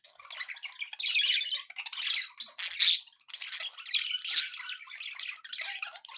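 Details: Happy budgie chatter: busy scratchy warbling with squeaks and a few clear whistled notes, in uneven bursts of high-pitched sound.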